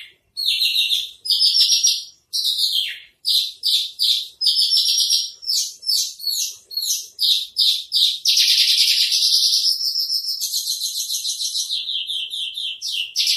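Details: Masteran song of a branjangan trotol, the Javan bush lark: a long, nearly continuous stream of high, rapid chattering notes and slurs, ending in a dense, fast trill.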